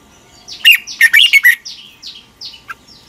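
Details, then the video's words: Red-whiskered bulbul singing for morning training: a loud burst of quick, sharp chirping notes with warbled slurs, then a few fainter downslurred whistles spaced about half a second apart. "luyện chào mào hót sáng. Hót hay nhanh căng lửa"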